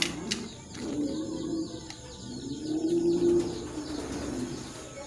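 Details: Beauty Homer pigeons coo in low, rolling murmurs, with wing flaps and faint chirps nearby.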